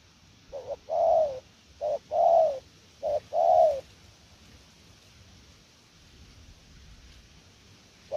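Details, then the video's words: Spotted dove from Vietnam, valued as a calling bird, delivering three short-then-long coo pairs, each long note drawn out and gently falling, then a quiet pause. "Siêu gù lèo nước chơi quá là hay luôn"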